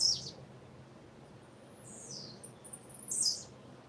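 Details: Female blue-black grassquit calling: a few brief, very high thin chirps at the start and again near the end, with a faint buzzy sweep in between, over a quiet, low background hum.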